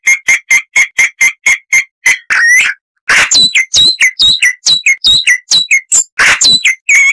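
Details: Harsh-voiced chalk-browed mockingbird song, a tutor recording for cage songbirds. Steady sharp repeated notes, a rasping slur, a short pause, then a varied rapid series of scratchy and whistled syllables with loud buzzy bursts.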